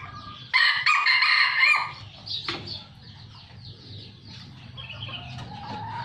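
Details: Captive-bred red junglefowl from a Sumatran farm gives a loud, rough crow lasting under 1.5 seconds. A sharp knock and softer, scattered bird sounds follow over low background hum.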